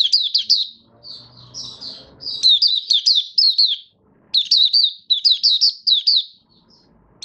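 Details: Malaysian Oriental white-eye (Mata Puteh), caged and out of form, singing buka style on 1 August 2023: repeated fast phrases of high, sweet chirping in several bursts, with a soft low rumble in the background early on.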